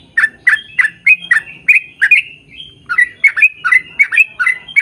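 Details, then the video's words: Sooty-headed bulbul singing vigorously in extended rapid-fire style, used to coax birds of the same kind to answer: rich chirping notes repeated every few tenths of a second, a brief pause with a thin whistle, then another quick series. "KICAU SUARA trucukan gacor ROPEL PANJANG pancingan trucukan agar bunyi"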